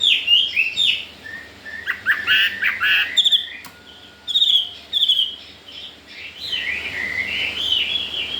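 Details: Newly arrived caged Chinese hwamei, said to already want to breed, giving rich whistled song phrases in bursts with short pauses, some notes harsh and chattering, with light background noise between phrases.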